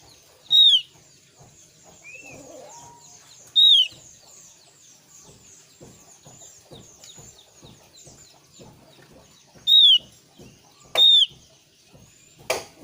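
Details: Javan grey-throated white-eye lure song for prompting young birds to sing back: bright, clear downslurred whistles at irregular intervals, one soft arched note, and light scattered clicks between phrases.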